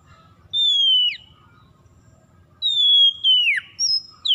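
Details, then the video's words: Oriental magpie-robin (kacer) lure recording to stimulate stressed, silent birds into singing: sustained pure whistles that slowly fall and end in a quick drop, followed by shorter high notes. "PANCINGAN PEMIKAT KACER SETRES MACET BUNYI LANGSUNG GACOR"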